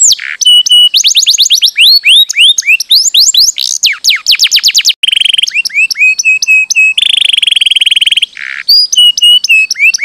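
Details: Canary in full song, played to make inactive canaries answer. Fast changing phrases of sharp whistled sweeps alternate with buzzy trills and long steady rattles, with almost no pause between tours.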